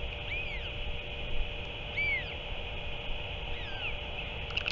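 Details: Northern royal albatross nest, 7 March 2024, adult back and feeding the chick octopus; repeated arched whistles, some paired and overlapping, come about every one to two seconds above a steady background hum.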